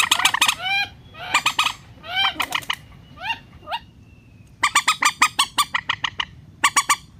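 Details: Relaxed rail calls used as a trapping lure for net-catching birds: quick clusters of squawks, some notes sliding downward, then a steady ringing run of about a dozen harsh clipped notes after a brief lull.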